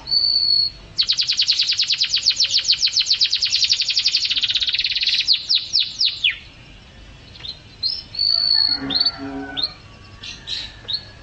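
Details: Canary singing in a songbird training recording: a brief level whistle, then a long loud rolling trill of quick sharp notes that slows into falling sweeps, followed by quieter whistles and chirps.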